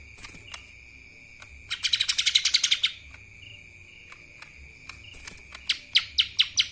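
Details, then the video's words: Lesser green leafbird singing in the kapas tembak style: a rapid burst of about a dozen sharp high chirps, a pause, then a slower run of loud descending notes, over a steady high whine and scattered faint ticks. "CUCAK ijo mini Fulll suara KAPAS TEMBAK...!"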